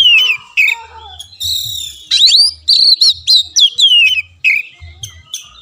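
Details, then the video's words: Oriental magpie-robin (kacer) song used as masteran to coax a reluctant caged bird into singing: loud whistled phrases near the upper range, some sliding and falling, interspersed with rapid chattery notes in uneven bursts, with a low faint hum beneath. "BUAT KACER MACET || SOLUSI MASTERAN MUJARAB"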